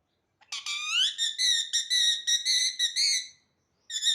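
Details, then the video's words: Parrot starts with a rising whistled slur, then runs into a string of quick, ringing whistled syllables repeated roughly twice a second, fading out before one more short note. "parrot 🦜 sound"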